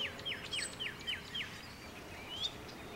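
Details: Redstart singing a series of five clear whistled notes, each dropping sharply in pitch, evenly spaced about a quarter second apart. A rising whistle follows, set against steady hiss and a faint outdoor background.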